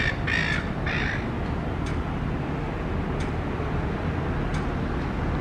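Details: A silver gull eating an apple core on a footpath in the morning gives two harsh, squawking calls in the first second, then goes quiet over a steady low rumble of wind or traffic.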